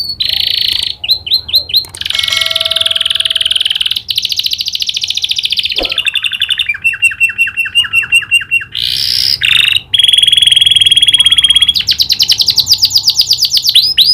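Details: Caged canary in full song, trained to imitate the prinia's clicking call: long loud rolling trills, rapid ticking runs, buzzy rattles and sustained high whistles, nearly continuous with few pauses.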